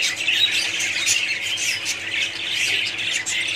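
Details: Budgerigar colony calling together, a continuous high-pitched mix of squawks, chirps and warbling from many birds at once.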